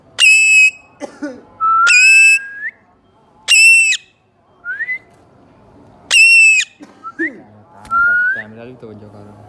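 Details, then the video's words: A parrot family calling loudly indoors: piercing, flat, shrill screeches lasting about half a second, repeated every two seconds or so, between softer rising whistles and faint human voices talking nearby. "Loud parrot Chirping//parrot Calling sounds"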